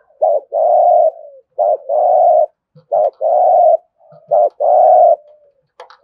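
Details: Spotted dove in steady thúc gù cooing, used to stir other doves: three phrases in quick succession, each a short low note followed by a long, level, throaty coo, with a faint click at the end.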